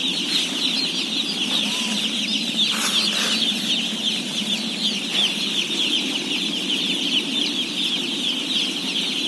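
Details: Day-old chicks, a flock of about 17,000 being fed, produce a dense, shrill, ceaseless peeping; a low background hum and a brief rustle appear near three seconds.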